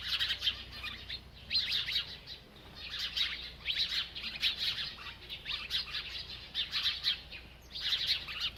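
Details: Bird chirping while eating: bursts of high, bright twittering chirps, each run lasting about a second, separated by short pauses, with a faint low background hum.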